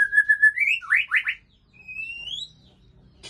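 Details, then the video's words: Male white-rumped shama from Aceh with a female, at Ujong Pancu: a steady whistled note, then three quick rising slurred whistles, then a long smooth upslurred whistle fading into quiet. "Murai Aceh + Betina Supak Ujong Pancu"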